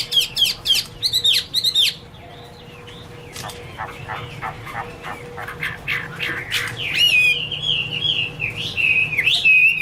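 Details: Garrulax canorus, the Chinese hwamei: sharp repeated whistled bursts, a softer jumble of notes, then a long varied warbling phrase at the end.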